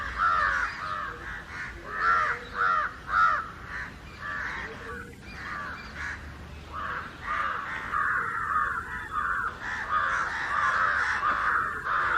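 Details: Loud rasping caws from a gathering of house and jungle crows mobbing someone, calling for more than an hour; repeated harsh calls in pulsing groups, about two per second, swelling and fading in volume.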